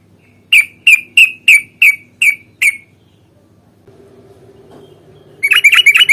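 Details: Sooty-headed bulbul fighting song, a long rapid-fire style used as bait to make other bulbuls sing; seven loud bubbly whistled notes in quick succession, a pause with a low steady hum, then a dense burst of chattering notes.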